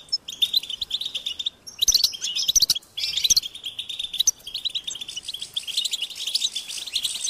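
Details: European goldfinch chicks begging their parents for food, a high-pitched insistent call; dense, rapid, high twittering chirps run almost continuously, broken by short pauses near two and three seconds, with sharper clustered bursts in between.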